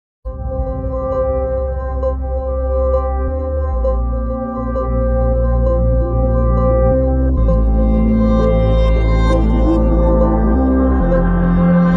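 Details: Sustained ambient music with deep drones and ringing bowl-like tones throughout; no animal calls are heard.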